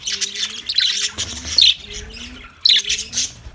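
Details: Several budgies on 9 March 2024 trade bursts of shrill, scratchy chirping. Low steady tones repeat about once a second beneath the chatter, and brief louder squeaks stand out.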